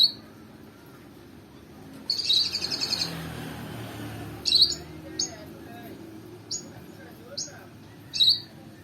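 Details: Lovebird with a companion's lure recording used for training: sharp, high chirps in brief bursts, one trilled flurry then single squeaks spaced a second or more apart, with low murmuring voices underneath.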